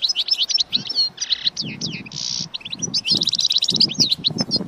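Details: Goldfinch song meant to excite other goldfinches into singing and mating, with rapid tinkling notes, a short buzzy burst near two seconds, and a quick trilled run, over low rumbling background noise.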